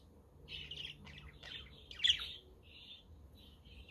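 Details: Budgerigar chatter on a sunny but windy day: a run of scratchy high chirps builds to one sharp louder note, then eases into softer spaced chirps. A quaker parrot and a conure are in the background.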